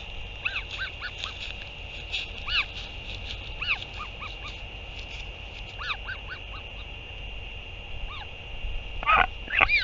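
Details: Northern royal albatross, a parent back at the nest to feed the chick on 8 June 2023; many quick, soft arched calls follow one another rapidly, growing louder and more clustered near the end, over a constant hiss.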